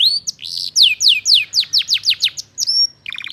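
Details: A lively canary sings for magpie-robins to copy. Loud descending whistled notes repeat quickly, then a long rising whistle is held, and the phrase ends in a short low buzzy trill.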